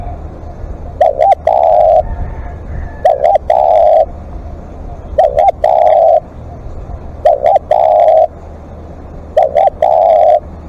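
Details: Spotted dove calling long as a live decoy: five evenly spaced phrases, each a wavering double coo and a held low coo, about every two seconds, with clicks around the calls.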